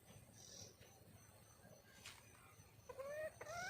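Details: Wild red junglefowl hen calling to attract a male: after a quiet stretch, two harmonic calls rise in pitch near the end, each sliding upward and clearer than the faint background hiss.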